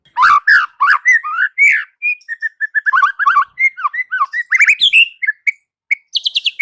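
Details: Varied, continuous white-rumped shama song: loud rich whistles sliding up and down, mixed with quick chattering notes and short high trills, delivered almost without pause for over six seconds.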